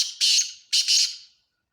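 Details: Black francolin giving harsh, scratchy, grating notes: a fading burst, then a broad rasping phrase, a pause, and a double rasp that trails away into silence.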